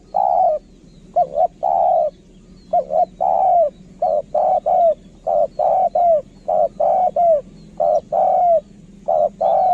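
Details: Spotted dove kept as a decoy bird, giving a steady cooing song: short mellow coos in paired and single notes, about four every five seconds, some with a slight downward slur at the end; faint low hum underneath.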